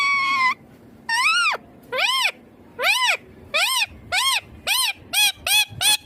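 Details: Green ringneck parrot calling: one long, steady, harsh note, then ten short, shrill, arched screeches that rise and fall. The screeches come faster toward the end, with a quiet pause between each one.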